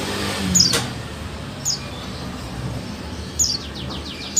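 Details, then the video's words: Female buxtoni white-eye call meant to make lazy males answer: a few brief, very high-pitched sharp chirps spaced irregularly, with a low constant rumble of background noise. "Call Suara Pleci Buxtoni Betina"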